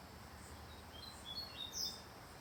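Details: Seedeater just about to break into full song: a few brief, thin, high whistled notes, one slightly louder near the end, over steady low background noise.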